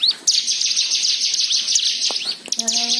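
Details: Continuous high white-eye twitter, used to encourage other birds to sing: a dense rushing chatter with upslurred notes, ending in a short lower buzzy tone.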